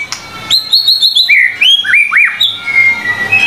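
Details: Vigorous white-rumped shama song from a 25-material tutor recording: a run of short high repeated whistles, then downward-sweeping slurred notes and a sharp rising-falling whistle, ending in softer thin tones.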